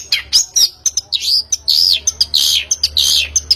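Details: Long-tailed shrike (pentet) played as a lure to prompt a bird to sing: rapid, harsh, high chattering notes mixed with buzzy slurred phrases, sounding with almost no pause between them.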